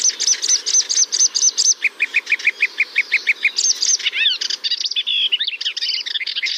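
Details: Melodious warbler (Hippolais polyglotta), a summer visitor whose complex, varied song includes imitations, sings a fast chatter: high repeated notes, lower buzzy chirps, then a varied, scratchy warble with rising and falling phrases.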